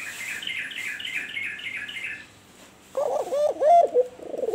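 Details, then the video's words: Cooing white albino turtle dove (puter) in kuwor bekur style, entering after two seconds of quick, high repeated chirps from another bird; a string of wavering, mellow coo notes closes the passage. "Suara Burung Puter Albino Putih Kuwor Bekur Gacor"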